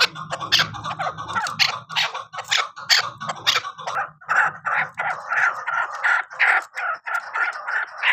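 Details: Chukar partridge, a hunting (shikari) chakor, calling in harsh, repeated chuck notes, several per second, with a low background rumble through the first half.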